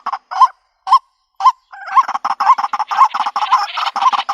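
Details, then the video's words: White-breasted waterhen lure call for trapping birds in the country: three separate nasal croaks, then a rapid, continuous stream of harsh, chattering notes. "Bird Sounds White breasted Waterhen Bird ( Water Cock Soun)"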